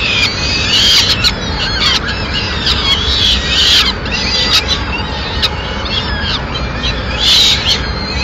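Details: Peregrine falcon at a nest in Madrid on 29 April 2016, as the mother brings food to her chicks: harsh, screechy calls that drop in pitch, given in irregular bursts over a steady broadband hiss.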